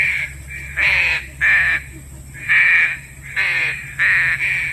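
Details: Green pigeon lure call for trapping: loud hoarse notes, some paired, about half a second each and spaced unevenly at roughly one-second gaps, with a faint steady hum behind.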